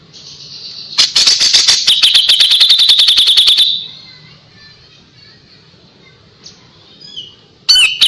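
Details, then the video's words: A rapid ringing rattle from a kapas tembak lasts nearly three seconds, then near silence with faint thin whistles and a sudden sharp note at the close. The sharp, rapid 'tembakan' phrasing is used to tutor young white-rumped shama. "KAPAS TEMBAK GACOR JEDA RAPET"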